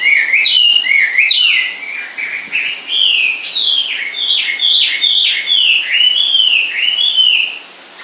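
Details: A bird sings without stopping: an unbroken chain of arching whistled notes, each rising then falling, repeated roughly twice a second across eight seconds, fading at the very end.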